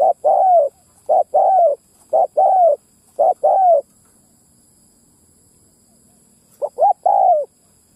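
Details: Ground lure calling of a Spotted dove, used to pull in wild males and females: four quick-fire three-note coo phrases, each ending in a long falling note, then a silent gap and one more phrase.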